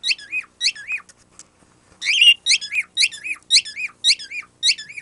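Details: Pet bird making a squeaky-toy-like noise, not taught; rapid series of high, harmonically rich squeaky notes, each with a bent downward slur, in two bursts of about six, roughly two per second, clean indoor background.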